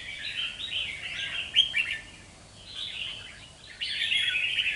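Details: Two-month-old wild-caught red-whiskered bulbul in display song: bursts of rich warbling and slurred notes, a short pause, then another loud sustained warbled phrase, over steady background hiss.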